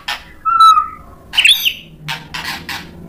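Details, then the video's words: White-rumped shama singing in full voice to provoke other shamas into song: a clear level whistle, a sharp burst of tangled notes, then three quick harsh, scratchy notes against a low background hum. "MURAI BATU GACOR MEMANCING EMOSI jadi NYAUT BUNYI BONGKAR MATERI ISIAN | PANCINGAN MURAI"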